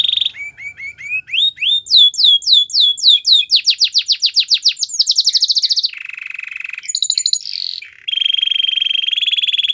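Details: A Belgian canary sings a run of curved slurred whistles that quicken into a fast pulsed trill, then a lower buzzy roll, bright high notes and a long even trill.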